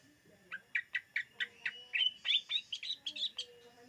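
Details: Greater green leafbird song for luring birds: a rapid series of about fifteen short sharp chirped notes, rising in pitch toward the end, delivered in an even, quick rhythm with no other sounds.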